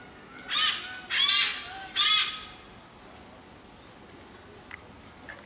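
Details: Great Hornbill calling in the jungle of Goa, India: three loud, harsh, nasal squawks about half a second apart, then quiet forest hiss with a few faint clicks.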